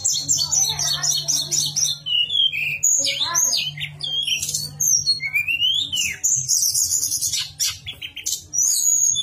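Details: Javan sunbird with a flute-like nyuling song, used as a master recording to get sunbirds singing. Dense, fast high twittering with thin whistled slurs and rising sweeps, over a steady low hum.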